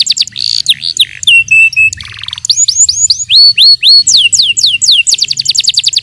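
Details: Yellow canary training song: rapid trills of repeated sweeping whistled notes, a steady run of level notes, then a buzzy rattle, followed by series of bright downslurred whistles repeated about four per second.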